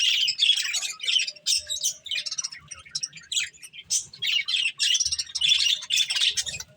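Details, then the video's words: Several pet budgies eating corn, giving dense, rapid chirping and scratchy warbling chatter in overlapping bursts with short pauses. "Cute Budgies Enjoying Eating Corn | Love Birds Chirping Sounds"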